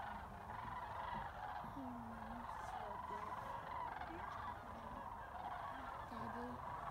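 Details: A large flock of Sandhill cranes at Jasper-Pulaski keeps up a continuous chorus of rolling, trumpeting rattles that overlap, with a few lower honking notes mixed in.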